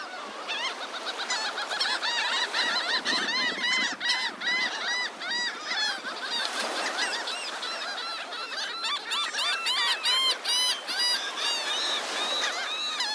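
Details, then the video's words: Morning flock of seagulls at Delnor-Wiggins Pass State Park beach, Naples, Florida; loud, constant chatter of ringing, downslurred calls from many birds, rising in bursts, over a low rush of waves. "Lots of Seagulls at Delnor-Wiggins Pass State Park in Naples, FL"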